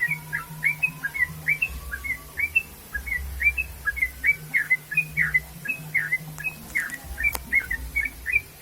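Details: Sooty-headed bulbul singing vigorously: short chirpy notes repeated rapidly, several each second, in a steady run, over a faint low hum and a few soft clicks.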